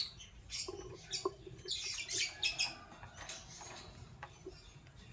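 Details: Fischer's lovebirds, a parblue violet and a pastel green opaline, chirping in the morning: shrill, scratchy high chirps in quick irregular bursts, clustered near the middle, with soft rustling and tapping in between.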